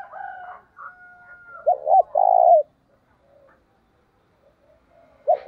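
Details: Decoy spotted dove cooing to provoke rivals: soft muffled murmurs, then a clear phrase of two hooked notes and a long steady coo, followed by quiet and a final hooked note.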